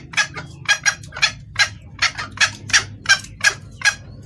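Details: Wild hen red junglefowl calling the male, suited for luring males; quick, coarse clucks in a string of about eleven over four seconds, low hum behind.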